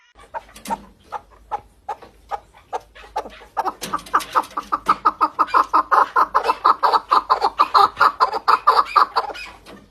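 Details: Partridge in spring, amid freshly greened ground, starts with scattered clucking notes, then breaks into a fast, steady run of harsh chuck notes, about two each second, swelling louder toward the end.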